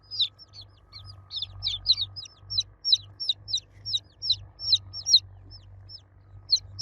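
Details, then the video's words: Domestic chicks calling for their mother hen, loud high-pitched peeps falling in pitch, delivered in quick overlapping bursts from more than one chick over a low background hum. "Baby Chicks Chirping Sound For Kids Chicks Cheeping Loudly For Mother Hen"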